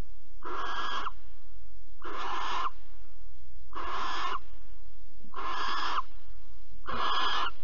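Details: Five rasping, hiss-like shrieks from a barn owl at Alphen, 15 April 2020, recorded around a mouse prey delivery and mating. Each burst lasts roughly half a second and repeats about every 1.5 seconds against a quiet, low hum.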